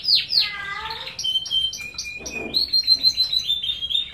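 A domestic canary sings a rapid, varied song of high sweet whistles, trills and bright repeated chirps, with a faint background hiss.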